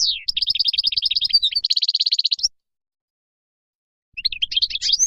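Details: European goldfinch singing wild song for young birds to learn. Opens with a long, rattling trill of quickly repeated notes that grows denser and ends abruptly. After a pause, a renewed run of rising twitters follows.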